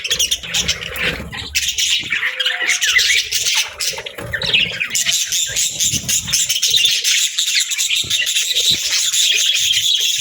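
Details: Budgies give scattered chirps and clicks that build into a dense, continuous high chatter in the second half.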